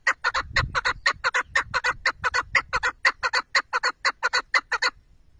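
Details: Rapid chukar partridge clucking: rough, rhythmic 'chuk' notes in quick doubles and triples over a faint low rumble, stopping abruptly near the end.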